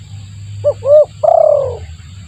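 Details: Spotted dove lure call used to attract other doves: two short rising-and-falling coos, then a longer buzzy coo sliding downward, with a low background hum.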